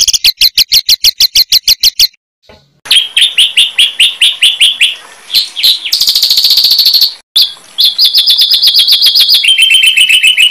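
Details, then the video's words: Varied songbird material for training competition birds: a rapid run of high ticking notes, a brief pause, slurred whistles, a buzzing trill, and steady fast-repeated chip notes at two different pitches. "SUARA BURUNG MASTERAN BURUNG LOMBA"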